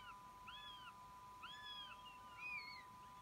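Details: Young northern goshawk that has left the nest, returning to take food: three clear, arched, whining calls roughly one second apart, each rising and dropping, over a faint continuous hum.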